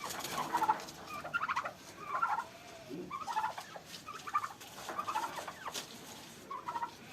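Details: Fighting turkeys on a Pakistani farm: rattling gobble bursts repeat irregularly, roughly seventy-five times a minute, each a quick warbling flutter, with faint background noise.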